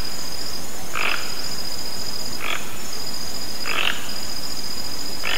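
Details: Four harsh, guttural croaks from a toco toucan in the wild, roughly one to one and a half seconds apart, with a faint steady high-pitched whine in the background.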